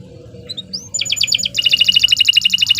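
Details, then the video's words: Canary song for song training: a few soft thin notes and a rising whistle, then a burst of repeated chips and a quick, sharp, even trill. "16 Suara Burung Kenari II GACOR PANJANG Cocok untuk Masteran"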